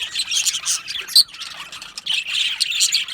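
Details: Happy budgerigars chirping in an aviary colony: bursts of fast, scratchy chatter and tweets, a brief sharp whistle near the middle, then the group chatter resumes.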